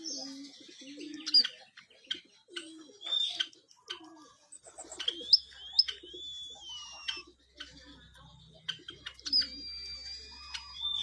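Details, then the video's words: White-headed munia singing vigorously: clicks and short high chirps, several long thin whistles gliding downward, interspersed with soft low grunting notes and a faint steady hum. "KICAU BURUNG EMPRIT PALA PUTIH GACOR"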